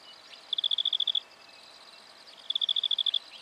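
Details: In Victoria, Australia, during October 2011, a black-fronted dotterel utters two fast trills of sharp high clicks, each about ten notes long, roughly two seconds apart.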